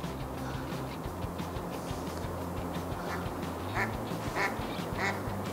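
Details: An Eastern spot-billed duck gives three short, rough quacks about half a second apart near the end, over a steady low hum of background music.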